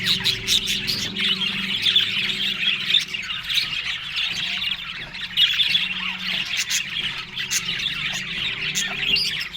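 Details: Australian budgerigars at morning feeding on green food, Larkana, Sindh; many birds keep up a steady stream of shrill chirps and warbled squawks, with a faint low hum in the background.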